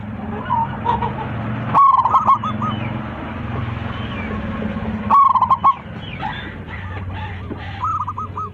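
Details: Local zebra dove calling its flock with a loud voice over a low background hum. Two bursts of fast coos about three seconds apart, with a softer cooing phrase at the start and another at the close.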